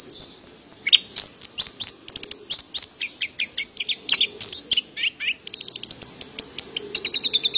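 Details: Orange-headed thrush giving a fast run of thin, high chirps and twittering notes, several each second with brief pauses, over a faint low background hum.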